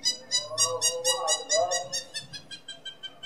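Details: Hamerkop giving its laughing call: a rapid run of sharp, nasal yelping notes, about two per second, fading and slowing toward the end over a lower humming tone.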